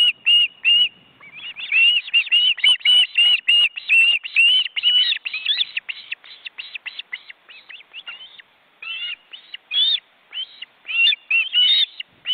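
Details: Webcam recording from an Estonian forest reserve nest holding adult ospreys and their nearly grown chicks, which keep spreading and beating their wings. Long run of quick, sharp whistled yelps, closely spaced and varying in loudness, with no other sounds.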